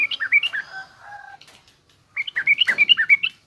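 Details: Rough ngriwik chattering from a garuda-type yellow-vented bulbul, played to train young birds: a hurried run of slurred chirps, a short lull with faint other notes and rustling, then another quick chirping run.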